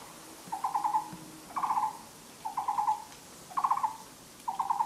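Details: Taiwan barbet (Psilopogon nuchalis) singing in a spring forest on 13 April 2014: low, hollow bursts of four or five quick notes, repeated about once a second against a quiet background.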